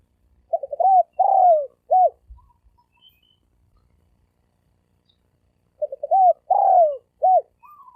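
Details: Thổ sấm đồng style coo of a spotted dove used as a lure for males and females: two phrases about five seconds apart, each of short hooting notes, a long descending coo and a clipped closing note.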